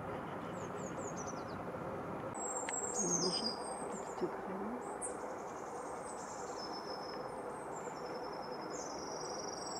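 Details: Eurasian blue tit singing in winter 2018-19 at Anglet, France: several series of thin, very high, crystalline notes descending in pitch, faint over a steady background hiss.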